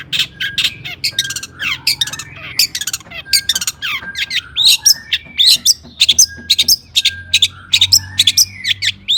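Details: Long-tailed shrike in heated full song intended to make other shrikes sing: continuous jumble of high squeaks, twittering chirps and slurred whistles, varied and fast.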